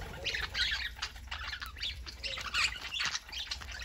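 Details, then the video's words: Several pet parakeets on a Saturday morning, a dense flock chatter of scratchy, warbling chirps and squawks overlapping continuously, with brighter bursts near the start and again past the midpoint. "Parakeets Saturday morning"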